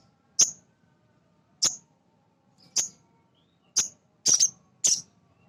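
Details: Male sogon, a small nectar-eating bird, whose call is meant to spur other sogon into song: six loud, very high chips at roughly one-second intervals, the fifth one doubled.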